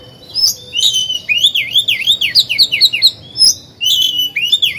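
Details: Oriental magpie-robin singing as a lure to rouse other birds into song; looping, wavering whistles strung together almost continuously, with sharper high notes at the end.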